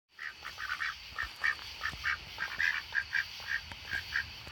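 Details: Two Rouen ducks settling before bedtime in the dark quack in a quick, uneven series of short nasal calls, about two every second, over a steady background hum.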